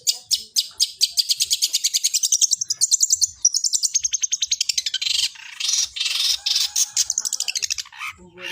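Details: Fighting long-tailed shrike voicing sparrow-style notes: a loud, rapid, near-continuous series of rasping chips with shifting pitch and pace, ending in scattered squeaks.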